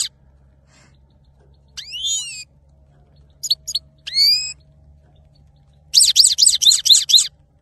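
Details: A singing male goldfinch (saira) gives a rising, whistled, nasal note, then two short clipped notes and another upslurred note, followed by a run of quick, bright, chattering trills.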